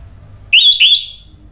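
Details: Orange-headed thrush gives two quick, loud whistled notes, high and slightly rising, slurring into a fading trill within one second over quiet background; used as a lure to prompt other birds to answer.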